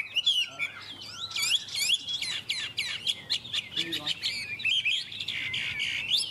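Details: Chinese hwamei from Vietnam, praised for its fine singing: a dense run of loud, varied whistled phrases with quick rising and falling slurs, high-pitched and nearly continuous, broken by brief pauses.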